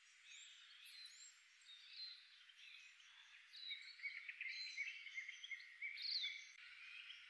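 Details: Common redpolls feeding on a driveway in winter in the Maungakotukutuku Valley, New Zealand, keep up a busy, high twittering chatter of quick metallic chips and short buzzy notes, several birds calling over one another.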